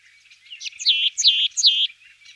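Sombre tit giving three quick, high notes, each slurring downward with a slightly buzzy edge, repeated about every half second in a clear, quiet setting.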